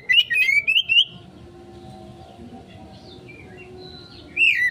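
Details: Konslet-style kacer lure song, Oriental magpie-robin: a quick run of three or four wavering whistled notes, then near silence with a low hum, and a brief looping whistle at the end.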